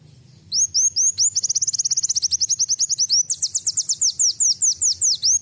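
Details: Brown-throated sunbird imitating a canary: a high, rapid chain of thin rising notes that tightens into a fast trill, followed by a switch to louder, evenly spaced sweeping whistles.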